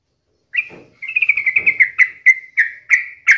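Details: Lively sooty-headed bulbul song used daily as a lure for other bulbuls: an opening whistled note, then a fast run of short chirps easing into steady, evenly spaced bright notes, over faint low rustling.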